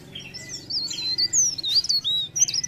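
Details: Leaf warbler in vigorous song: thin, high, wavering whistled phrases that twist up and down, with short sharp notes between them, over a faint low hum.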